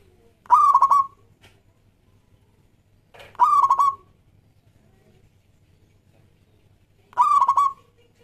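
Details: Local Zebra Dove singing a lure song meant to prompt other doves to sing: three ringing cooing phrases, each a stuttered burst of quick pulses on a steady mid-pitched tone, spaced about three seconds apart in a quiet setting.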